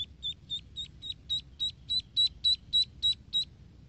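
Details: High-pitched duckling peeps from young ducks swimming in a pool. Evenly spaced notes, each slightly upturned, grow louder across the series against a soft low background hum.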